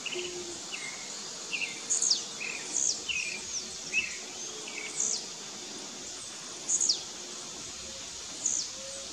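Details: Blue-black grassquit; song; rival males disputing territory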